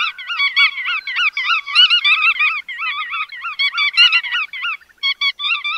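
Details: Bar-tailed godwits calling in a busy chorus of nasal, bouncing, wavering notes that overlap densely, with brief gaps breaking the stream near the end.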